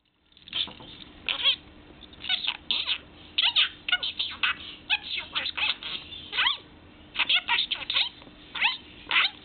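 A budgerigar chatters in a high, scratchy voice, mimicking quick human phrases.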